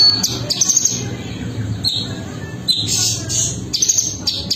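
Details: Cungko bird calling with short, high, thin chirps and brief squeaky notes, several bursts over a few seconds, above a steady low rumbling background hum.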